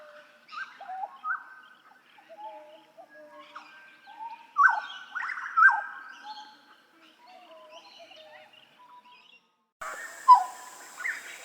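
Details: Song of a Papuan hooded butcherbird, used as a master recording for training songbirds: mellow piping whistles and downward-slurred notes in loose phrases, with a louder burst midway, then a shift to a noisier recording near the end.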